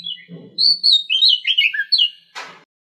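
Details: An Oriental magpie-robin from a breeding pair in an aviary gives a quick run of clear, varied whistled notes sliding up and down, then a short harsh burst, over a faint low hum.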